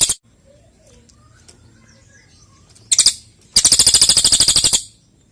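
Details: Cililin, the golden-bellied gerygone, singing vigorously as a tutor for other songbirds. A brief high burst, a short buzzy trill, then a longer rapid ticking trill lasting over a second, with faint chirps in between.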